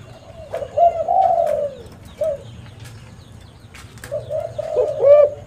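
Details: Spotted dove, locally tekukur, used to lure wild doves: a long, soft, downward-gliding coo, a brief note, then a quiet stretch before a faint wavering coo returns.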